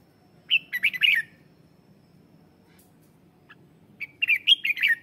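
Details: Red-whiskered bulbul decoy bird singing to call and provoke wild birds. It gives two short, bright, bubbling phrases of rich warbled notes about three seconds apart, over a faint low hum.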